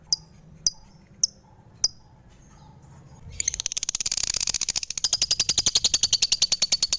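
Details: A few isolated sharp ticks from a lovebird, then a sudden burst into a fast, shrill, rattling chatter of repeated chirps that continues to the end.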